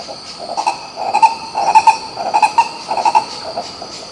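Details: Green ibis (coro-coró) singing in Pirenópolis, Goiás, Brazil: loud, hoarse, guttural notes in fast rolling clusters, roughly two a second, rising and falling in strength, set against a continuous high-pitched insect buzz.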